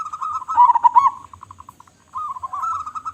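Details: Zebra dove of local stock with a big voice delivers a quick burbling coo that breaks into a row of even, evenly spaced notes, then resumes with a wavering, drawn-out trill.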